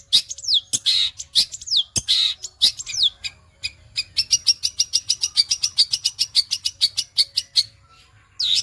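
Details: Long-tailed shrike song in fast sewing-machine style: a few high swooping whistled notes, then a long rapid series of identical sharp ticking chirps, about five per second, followed by a brief pause and another whistle.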